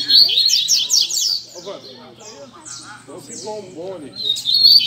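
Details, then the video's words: Several double-collared seedeaters (coleiros) sing together on a Sunday morning in bright, high, rapid chattering bursts of slurred notes, a man's voice talking quietly beneath partway through. "Barderna de Coleiro Entre Amigos!!!"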